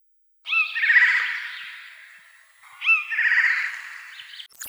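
Eurasian Jay giving two long, harsh, rasping screeches about two and a half seconds apart, each starting with a brief tonal note before turning hoarse.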